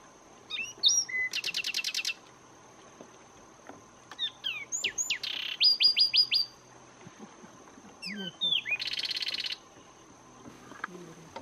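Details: A Zapata wren sings in Zapata Swamp National Park, Cuba, giving loud bursts of sharp whistled notes mixed with dry, rapid buzzy trills, each phrase a second or two long, over a steady high hum.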